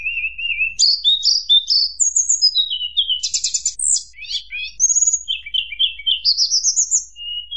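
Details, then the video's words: Tledekan gunung nyuling song used to provoke rivals: a steady low whistle, then a varied jumble of high chirps, rapid trills and rising whistled runs, continuous throughout. "mp3 tledekan gunung nyuling bikin lawan emosi"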